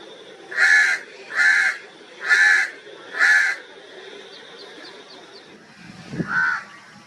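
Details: Four loud, harsh caws at a steady pace from crows, then a quieter gap with a soft thud and one more distant caw.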